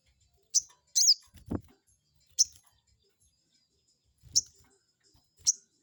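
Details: Crested jay lure call meant to anger a rival and make it answer: five sharp, high, downward-slurred chirps at uneven intervals, with a soft low thump in between.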